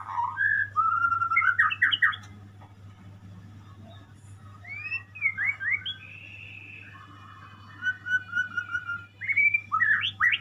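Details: Murai, the white-rumped shama, delivering clear whistled phrases and rapid chattering runs separated by pauses, with a continuous low hum in the background.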